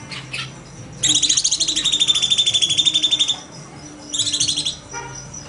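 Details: Cucak cungkok bulbul in rapid 'nembak' delivery, used as training material for songbirds: a two-second high, evenly pulsed trill, a pause, then a shorter burst of the same bright rattling notes.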